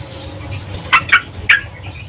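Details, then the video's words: Female sooty-headed bulbul in breeding condition calling to a male, used as a lure to stir males into singing; three short, sharp chipping notes within about half a second over a low, steady background hum. "Trucuk Betina Memanggil Jantan FIGHTER BIRAHI"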